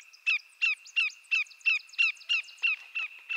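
A Greater Yellowlegs gives a fast run of about ten ringing, down-slurred whistles, roughly three per second, over a faint steady high-pitched hum.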